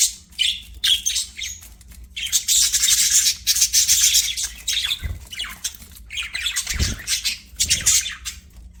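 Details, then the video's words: Budgies singing while playing, a dense run of rapid, buzzy warbling chatter with scratchy notes crowding together, loud and continuous in the middle, broken by a few low thumps. "BUDGIES SINGING PLAYING"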